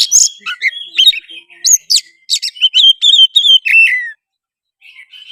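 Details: Oriental magpie-robin belting out gacor song as a lure to provoke another bird into singing, fighting and opening its tail; a busy run of whistles, chirps and rasping notes, then quieter trailing phrases.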